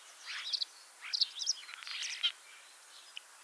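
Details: Common starling, leg-ringed in Lithuania, singing at Liepāja, Latvia, in spring 2023; softer, somewhat distant bursts of wheezy chatter and squeaks with pauses between short phrases.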